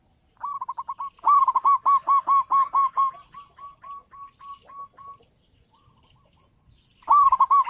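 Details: Loud local zebra dove used by dove trappers as a lure. A soft trill leads into a long string of strong pulsed coos that fade into quieter spaced notes, then a fresh loud burst begins.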